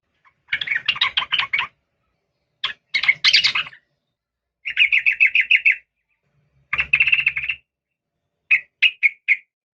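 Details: Female yellow-vented bulbul calling for a male with five runs of fast, rattling chirps, some dense and buzzy, the last a few spaced notes; a faint low hum sounds beneath one run.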